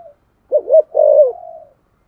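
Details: Spotted dove used to set other doves cooing, uttering a single low phrase: a short hoot, a brief break, then a longer wavering coo trailing off softly.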